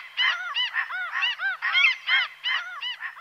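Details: A Common gull (Larus canus) gives rapid, high, nasal squealing calls, several per second, each arched and slightly wavering, with no other sounds.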